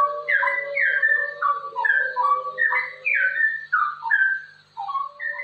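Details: Straw-headed bulbul singing ropel, a rapid continuous song used as training material for other birds: bright warbled whistles falling in pitch, strung together in a fast sequence that pauses briefly before ending.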